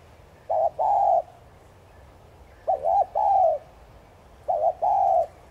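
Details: Cooing of a spotted dove meant to provoke other doves to call; three evenly spaced phrases, each a brief two-note coo then a sustained lower coo, roughly two seconds apart.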